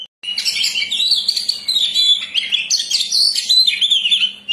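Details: Oriental magpie-robin, used as a bird lure, singing continuously after a brief silence: rich warbled whistles and buzzy trills that tumble up and down, delivered without pause, with a few clear piercing notes standing out.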